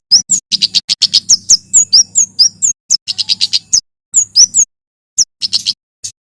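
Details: Bar-winged prinia male in full, vigorous forest-style song. Dense strings of piercing high chips and slurred whistles are packed closely together, with short pauses near the end. A low hum sits in the background.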